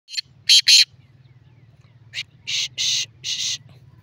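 Black francolin giving harsh, grating, rasping notes: a quick pair, then a four-note phrase, over a steady low hum.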